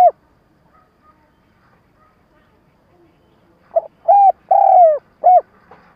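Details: Decoy spotted dove calling to lure wild doves for trapping, in a stuttering coo style: an opening note, a long pause, then four low, hollow coos in quick irregular succession, the third longest.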